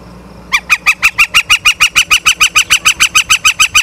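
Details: Ospreys at a nest in Charlo, Montana, on 9 September 2023 at 18:51, picked up by a live nature cam: after a half-second of quiet, a rapid run of sharp, ringing, harmonically rich chirped notes, about six per second and evenly spaced, continuing to the end.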